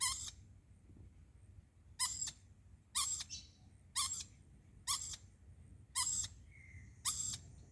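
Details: Lorikeet giving short, harsh, screechy bursts, each about a third of a second, repeated roughly once a second with a few longer gaps, seven calls in all; quiet low background hum between calls.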